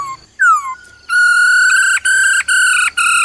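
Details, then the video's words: A female laughingthrush, calling 'ro ro' to get a male going. A falling whistled slur leads into a loud, level, reedy note held for two seconds and broken by brief gaps. "Khướu mái ro ro kích trống nhanh căng lửa"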